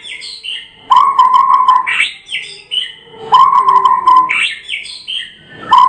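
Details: White-rumped shama, a Medan murai batu and national contest champion, singing in the continuous ngerol style: long, steady buzzy notes of about a second each, separated by short bright rising whistles and brief pauses.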